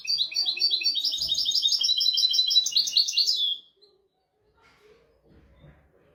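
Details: European goldfinch 'royal' tutor song used to train goldfinches and canaries: about three and a half seconds of fast, continuous, high, buzzy twittering with a quick ending flourish, followed by quiet room sound.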